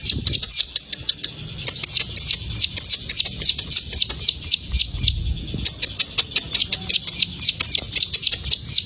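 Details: Plain prinia song: a rapid series of thin, high, ringing notes repeated about four times per second in steady runs, with faint clicking and low rumble beneath.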